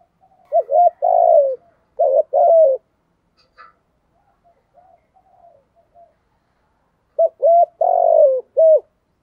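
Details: 'Giọng thổ' style cooing by a spotted dove decoy bird: clipped hoots followed by a long falling coo, a cluster of short paired notes, a scattering of soft murmurs in the middle, then another full coo phrase ending with a short note.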